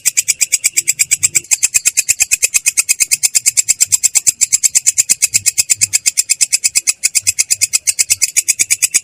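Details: Long-tailed shrike's clear but rough rolling "ngerol" song, a fast, even train of harsh chattering notes running on without a break.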